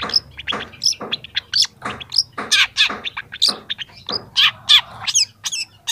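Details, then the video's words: Young long-tailed shrike in full song for training other young birds, beginning to show mimicked phrases: a dense, continuous run of scratchy chirps and buzzy notes with almost no pauses, over a faint low hum. "masteran cendet muda"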